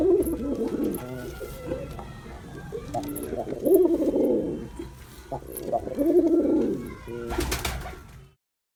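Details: Male pigeon performing its coo: three rounded, low, throaty cooing phrases, each rising and falling and roughly two and a half seconds apart, with a brief sharp noise burst near the end.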